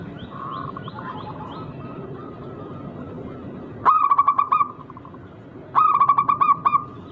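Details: Local wild zebra dove with an unusual rare rhythm, used as a lure so rival doves answer. Quiet, distant purring coos give way to two loud phrases of quick, even coo pulses about two seconds apart. Thin background chirping.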